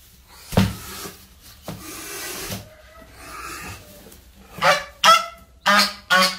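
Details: Geese kept in a backyard honking: a sharp honk, then a pause with rasping sounds, followed by a burst of four loud nasal honks close together toward the end.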